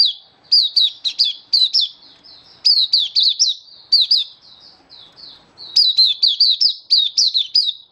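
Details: Captive oriental white-eye in open singing display, recorded 24 February 2023: high, sharp chirping notes delivered in quick bursts of four to six, separated by short pauses, with faint softer twitters in between.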